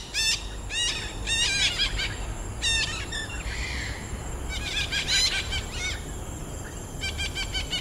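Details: Red-breasted parakeets in a densely forested woodland patch at Pasir Ris Greenbelt, Singapore, give harsh, grating squawks in quick bursts of three to five, several birds overlapping, over a low steady rumble.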